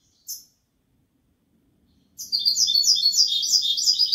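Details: A short high note from a European goldfinch, a long pause, then a dense, lively Kobia Malaga style phrase of bright, tangled, twittering trills that continues to the end.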